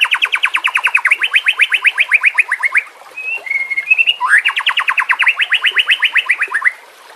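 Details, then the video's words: White-rumped shama song for training birds, set against natural ambience with running water: two long fast rattling trills of rapid repeated notes, split by a few short slurred whistles. "Terapi Murai Malas Bunyi Dengan Pancingan Mewah Isian Terbaik"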